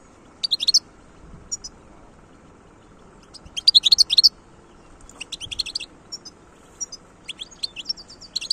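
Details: Song of a wild European goldfinch: lively phrases of rapid, liquid twitters and high tinkling chirps, including a dense burst near the middle, separated by scattered single notes.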